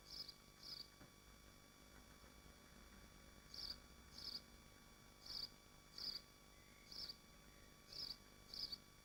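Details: Nest of swifts in Machynlleth, Dyfi Biosphere: two high buzzy screeches, a silent stretch of nearly three seconds, then seven more coming roughly every seven-tenths of a second, with a faint hum throughout.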